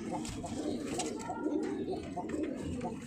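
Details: Pigeons kept for sale give soft, low cooing phrases that repeat about once a second. Faint voices and indoor room noise sit behind the calls.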